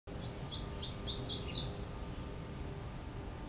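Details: Male Mourning Warbler singing at Orchard Hill Greenstrip, a migrant trap in Omaha, Douglas County, Nebraska, on 25 May 2015: a quick burst of high, rolling chirpy notes lasting about a second, then only a steady low background hum.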